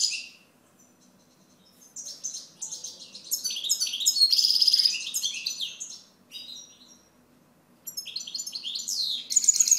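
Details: Extended goldfinch song: bursts of fast, tinkling, high notes mixing chirps and buzzy trills, rising and falling in loudness, with brief pauses between phrases.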